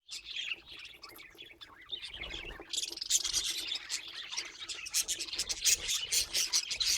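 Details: Pet budgerigar chattering in a fast, dense run of high chirps, squeaks and warbled notes, with sharp clicks that grow louder and more crowded in the second half; no other sounds stand out.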